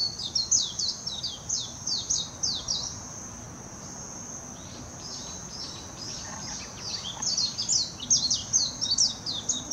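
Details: Warbling white-eye song from Hashimoto, Wakayama Prefecture, Japan, 26 June 2021, taken with a Nikon Coolpix P900. Two long runs of rapid, high, tumbling chirps separated by a pause, with a continuous thin whine behind.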